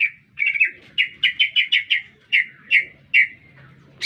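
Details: Lively lesser green leafbird in town, pouring out rapid repeated chirps in a quick rhythmic series that slows toward the end, with faint low background hum.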